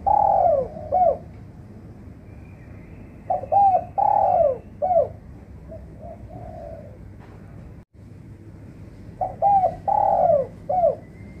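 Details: Spotted dove calling as a trapping lure to revive silent birds: three cooing phrases, each a fast double note, a long descending coo and a clipped ending, one softer, over low background noise.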